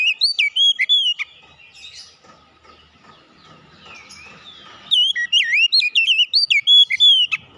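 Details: Kacer, the oriental magpie-robin, in song: bright whistled and slurred notes at the start, a quiet stretch with a faint steady hum, then a long burst of varied swooping whistles.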